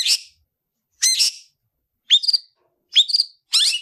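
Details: Tutor long-tailed shrike of gacoran class giving 'tarung ngalas' fighting song: five short bursts, the later ones sharp rising buzzy chirps, each spaced under a second apart.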